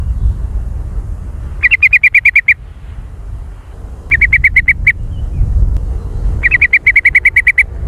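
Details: Sooty-headed bulbul giving a very active, noisy jontrot-style call used as a lure for trapping birds: three fast bursts of sharp, even chattering notes, each burst under a second, separated by pauses over a low rumbling background.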